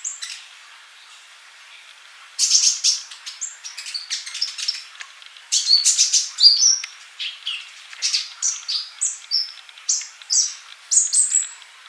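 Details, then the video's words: Sunbird singing vigorously, called kolibri. After two seconds of quiet it starts a lively series of sharp high chirps and short flat whistles, dense in the middle and steadier toward the end. "MASTERAN UNTUK BURUNG COLIBRI GACOR"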